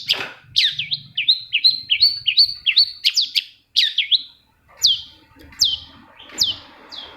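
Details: Long-tailed shrike song used to encourage silent shrikes to sing. A rapid run of twisting, slurred chirps opens it. After a brief gap come single loud downslurred whistles roughly every three-quarters of a second.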